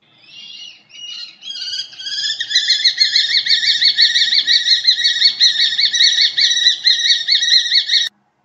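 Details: A UK common kestrel gives a brief chitter, then a fast, shrill run of sharp kee notes, nearly three a second, holding steady for about six seconds.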